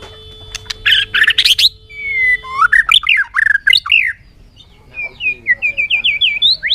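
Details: Varied bird song: a harsh buzzy burst, then a long steady whistle followed by jumbled rising and falling warbles, a pause, and a run of quick looping whistled notes; faint steady tone and low hum behind.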